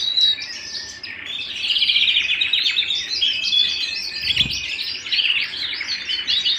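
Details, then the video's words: Canary singing at home, delivering a dense, bright song of rapid trills and sharp chirped notes that swell and ebb, with one faint low bump near the end. "canary bird - canary singing - canary sounds - canary singing at home"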